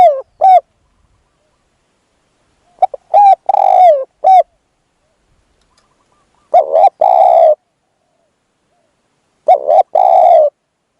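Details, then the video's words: Spotted dove calling as a lure for a wild dove. Several coo phrases are spaced a few seconds apart, each made of short clipped notes followed by a longer, fuller coo. "ต่อนกเขาใหญ่ พลาดเฉลยเสียงดีครับคารมสุดยอดครับ"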